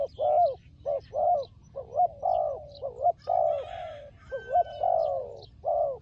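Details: Turtle dove, described as a fighter, delivers a rapid series of low, purring coos, some short and clipped, others drawn out and sliding downward; faint high bird notes and a thin whistle in the background.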